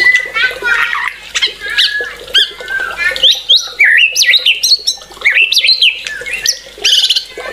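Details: Excited white-rumped shama delivering a varied song of harsh chatter mixed with bright upslurred whistles, jumping quickly between high and mid pitches in lively bursts.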